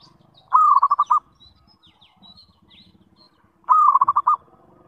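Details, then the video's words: Zebra dove call used as a lure to attract other zebra doves: two bursts of a short mid-pitched coo followed by a quick trill of rapid pulsed notes, about three seconds apart. "SUARA PANGGILAN PERKUTUT - PANCINGAN SEMUA JENIS PERKUTUT"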